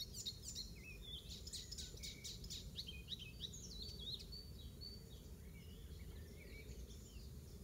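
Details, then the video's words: Icterine warbler singing in a garden at Pieterburen, 17 May 2022, a mimic whose song imitates Eurasian oystercatcher; rapid varied phrases of high squeaky chirps, short whistled slurs and scratchy notes in quick succession, with steady low rumble beneath. "Icterine Warbler song includes Oystercatcher mimicry"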